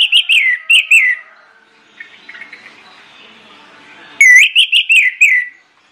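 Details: Loud, persistent pancingan song of an orange-headed thrush, used as a lure so other birds join in: short bursts of clear, downward-slurred whistles, a pause filled with faint soft warbling, then another rapid burst of ringing whistled notes.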